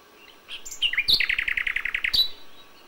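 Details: Common nightingale singing in May at dawn, with the original sound: a few high introductory notes, then a fast, even trill of about a dozen rich notes, ending in a sharp high flourish.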